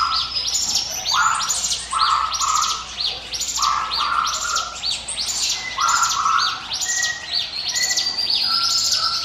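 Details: Ciblek gunung prinia song in the 'ngiwit wit' style for luring birds: dense high chirping trills alternating with brief lower buzzy notes, repeated in strong, rhythmic bursts.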